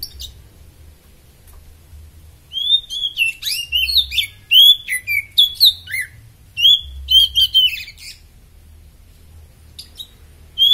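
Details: Oriental magpie-robin in peak form, its song meant as a tutor recording for other birds: loud varied bursts of whistled, slurred and chirping notes, rapid phrases broken by short pauses, with faint low rumble beneath.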